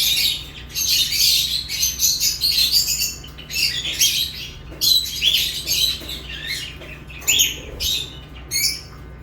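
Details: Chirping from lovebirds: repeated bursts of high, harsh chatter and thin squeaks, separated by short silences, continuing for about nine seconds above a faint electrical hum.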